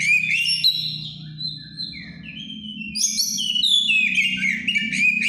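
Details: White-rumped shama in breeding condition in full song: continuous bright whistled notes and rapid trills shifting in pitch, with a steady low humming noise in the background.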